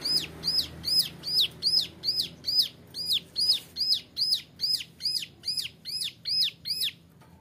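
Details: A young male bar-winged prinia sings for use as a training model: a rhythmic string of high, downward-sweeping notes repeated roughly every 0.4 seconds, then stopping, over faint low background noise.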